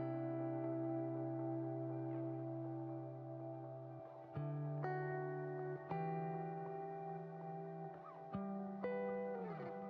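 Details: Plucked guitar music with echo and sustained ambient tones, and no animal voices.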